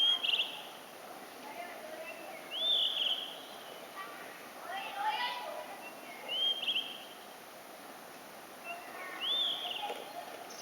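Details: Blue-and-white flycatcher singing unseen: short bright whistled phrases that slur downward, given about every three seconds against a faint hiss of background noise and other soft sounds.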